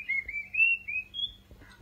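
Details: Orange-headed thrush (Geokichla citrina), song.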